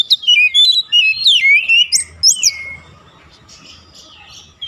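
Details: Oriental magpie-robin singing to provoke rivals: a quick string of sweet whistled notes and sliding phrases, fading out into quiet background hiss and low rumble.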